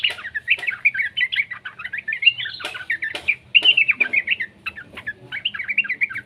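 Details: Young yellow-vented bulbul, a call recording meant to coax other bulbuls into song; rapid warbling chatter of short twisting notes, with brief pauses and a few sharp taps.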